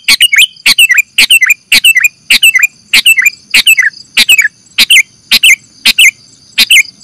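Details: Lure recording of a sooty-headed bulbul for trapping birds, with a steady series of harsh clipped chirps, each ending in a short downward-curling note, repeated about twice per second with a faint steady tone behind.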